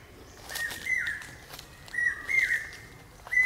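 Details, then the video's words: Common hawk-cuckoo, also known as the brain fever bird, calling pi-peeah. Four clear whistled two-part notes, each a higher note sliding down, arrive in uneven pairs over a soft background hiss. "Common Hawk-Cuckoo calling...pi-peeah...pi-peeah...pi-peeah... (പേക്കുയിൽ കിഴക്കേ വാ....)"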